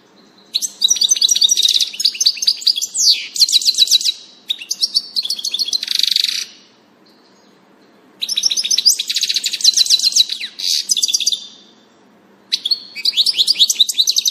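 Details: European goldfinch spotted on 6 April 2019, the first of that year, singing in bursts of rapid twittering, tinkling and buzzy high notes, with pauses of a second or two between phrases.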